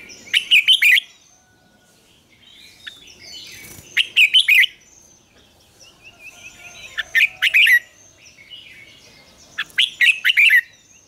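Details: Red-whiskered bulbul morning song in the double-note wild style, recorded to train other bulbuls: four loud, rapid clusters of rich whistled notes about three seconds apart, with faint twittering in between.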